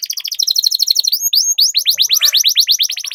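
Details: Canary lure song meant to spur other canaries into full song and long rolls: rapid buzzy trilled notes, a couple of drawn-out whistles, then quick downward-sweeping chirps in fast succession.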